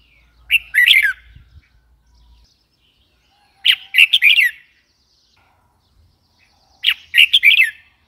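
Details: A red-whiskered bulbul repeats its lilting whistled phrase three times, roughly every three seconds, each a jaunty run of quick up-and-down notes, in an otherwise quiet setting.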